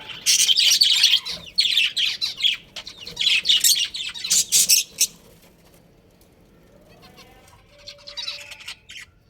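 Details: A breeding pair of pet budgies chirps at home. Dense, rapid, high chattering and twittering bursts fill the first five seconds, then fade to sparse, soft twitters.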